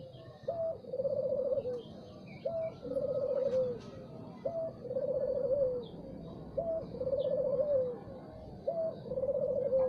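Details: Spotted dove singing in the morning: a short rising note followed by a longer purring, rolling coo, the phrase repeated about every two seconds, with faint high chirps of other birds in the background.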